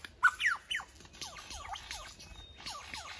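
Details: Lyrebird song from Dandenong, Australia: loud, sharp opening notes, then a cascade of quick, repeated downward-sweeping whistles, evenly paced, with faint high notes in the background.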